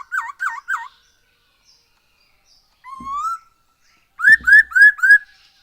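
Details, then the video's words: Black-throated laughingthrush, singing as a lure for other birds. A quick triplet of looping whistles is followed by a single drawn-out rising whistle. The song ends in four evenly spaced upslurred notes, with faint low knocks in the background. "Poksay HONGKONG GACOR SETIAP HARI ‼️Dengan Pancingan ini Bikin Burung Tambah gacor"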